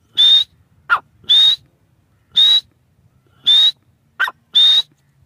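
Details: Partridge (tetar), Pakistan: evenly spaced high whistled notes, about one per second, interleaved with two short lower chirps, on a quiet background.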